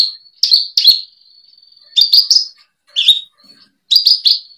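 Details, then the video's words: Branjangan (Javan bush lark) tutor song, 2022 collection: short high chirped bursts separated by a thin sustained whistle and brief silences, each burst of two or three sharp notes. "Kumpulan masteran burung branjangan"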